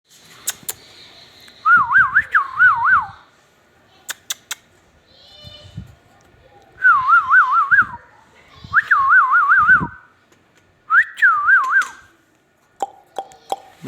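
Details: Talking rose-ringed parakeet giving four wavering whistled phrases that warble rapidly up and down, broken by sharp clicks and taps between phrases.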